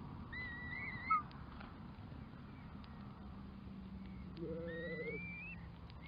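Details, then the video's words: A curlew (Numenius) gives two drawn-out, rising whistles about four seconds apart over a steady low rumble, with a brief low droning tone during the second whistle. "Кроншнепы (лат. Numenius) - Curlew"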